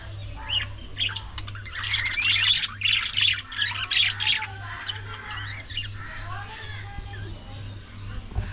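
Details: Pet budgerigars giving a dense burst of harsh, scratchy squawks and chatter for about three seconds, then fading into softer scattered calls over a low steady hum.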